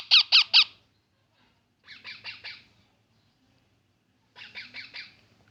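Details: Young parrot giving a loud run of three raspy chirps, then two softer groups of about four strained, buzzy notes separated by quiet gaps of over a second.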